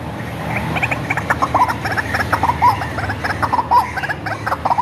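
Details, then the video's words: Hand-reared white-breasted waterhen recorded as a lure call: quick series of nasal, rasping croaks, starting softly and becoming louder and denser, about one phrase per second. "SUARA BURUNG RUAK-RUAK ASLI"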